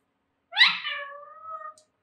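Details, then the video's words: Alexandrine parrot, an indoor pet in speech training for the phrases Jai Shri Ram and Mithu Bete, gives one raspy harmonic utterance that starts with a bright burst, then slides down and holds a steady drawn-out tone for about a second. "Talking Parrot || Jai Shri Ram || Mithu Bete"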